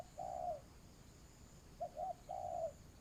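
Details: Spotted dove used as a ground decoy for trapping, giving a long soft low coo, a pause, then two quick short coos and another drawn-out coo.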